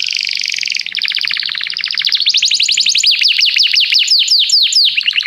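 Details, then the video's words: Canary in song training, calling a companion to sing: continuous rapid trills shifting in pitch, speeding into a series of quick downslurred notes. "Canário chama o amigo para cantar - treinando canto de canário"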